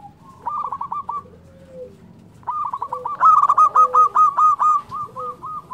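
A zebra dove gives rapid bursts of soft, staccato cooing notes, used as a lure so other doves answer.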